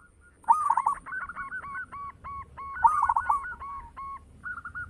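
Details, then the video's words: Zebra dove of a local Indonesian strain in full voice: two cooing phrases, each opening with a bubbling trill and running into a series of short, hollow, even coos, with soft low-pitched background noise. "Perkutut lokal gacor - SUARA BESAR MEWAH"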